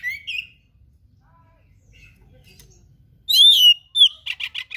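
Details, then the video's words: Oriental magpie-robin, a kept songbird, singing mimicked material: a short whistle, a pause with faint background hiss, then a loud wavering whistled phrase and a string of rapid buzzy notes. "KACER GACOR SPECIAL FULL ISIAN MATERI LANGKA"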